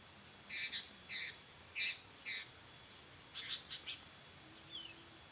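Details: A Sooty-headed Bulbul kept in Serang, called a fighter, gives harsh, chattering notes, mostly in pairs, about eight in five seconds, over a faint steady high hum.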